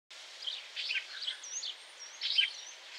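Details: Lesser grey shrike giving a busy run of short, scratchy chirps and chatters, with thin high whistled slurs drawn across the top and a steady hiss of background noise.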